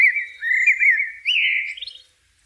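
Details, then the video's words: One sustained blackbird phrase, a smooth wavering whistle that lifts slightly and fades out into a soft high twitter. "sounds of the Blackbird bird in nature"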